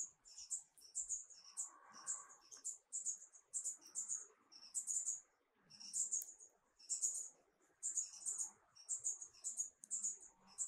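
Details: Marvelous spatuletail (Loddigesia mirabilis), an endangered hummingbird endemic to Peru, gives very high, thin, scratchy chips in short bursts, about one a second at an uneven pace, with faint lower chirps behind.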